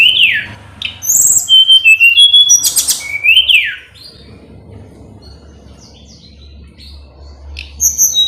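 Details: Hill blue flycatcher song played to rouse a rival: falling slurred whistles, level high notes and a harsh buzzy burst in the first half, then quieter scattered short notes and a final trill over steady low hum.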